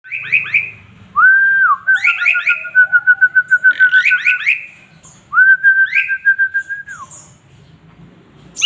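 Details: Male Asian pied starling (jalak suren) in full, lively song rich in varied phrases, kept as a master bird for tutoring: long level whistles broken by fast rising chirps, then a trill of rapid repeated notes and another sustained whistle.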